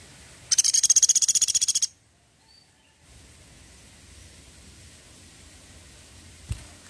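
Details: Woodpecker, called pelatuk sampit, in a 'tembakan' burst: the clip opens with about seventeen shrill, evenly spaced high notes rattled out in under a second and a half, followed by sudden silence, a low background hum and one dull knock near the end.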